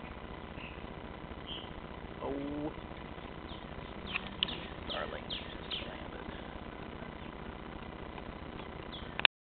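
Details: A Song Sparrow sings its mating song faintly in the background at a campsite, a quick run of bright, sliding notes over a steady outdoor hiss, while a person talks to a cat in a camp chair near the start.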